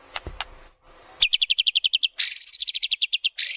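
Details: White-rumped shama singing a lure song for training birds, showing off its repertoire: a few sharp clicks and a high whistle, then a fast train of about a dozen identical chirps, and a buzzy rasping run.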